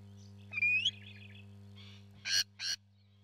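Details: Nesting rainbow lorikeet: a short slurred rising whistle with a rasping edge, then after a pause two loud harsh screeches close together, with a constant low hum behind.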